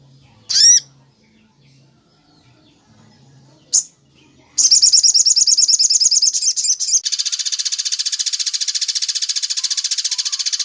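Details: Crimson sunbird song used as a training recording for other cage birds, in the style called tembak cililin: a few sharp descending notes, then a rapid high buzzy trill of repeated notes, about three per second.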